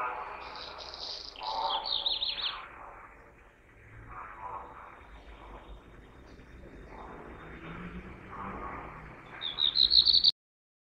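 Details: A black redstart (Phoenicurus ochruros) calls: high, scratchy chirps in two short bursts, the second ending in a quick run of sharp rising notes, over a steady hiss.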